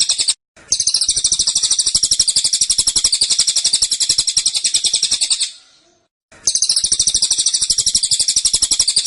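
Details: Tembakan song of a caged cililin, tight and persistent: long runs of quick, shrill repeated notes at roughly four per second, broken by two brief silences.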